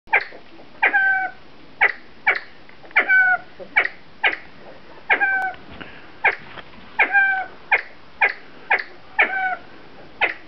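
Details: Siamese fireback uttering short, sharp, clucking notes with ringing overtones, repeated roughly every half second in an uneven series, against a quiet background.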